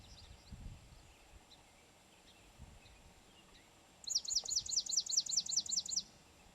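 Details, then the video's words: Swamp Sparrow singing in Pennsylvania: after four quiet seconds a high, even trill of about a dozen repeated two-part chirping notes runs for two seconds, over low rural background noise. "Swamp Sparrow and Ovenbird - Songbirds of Pennsylvania"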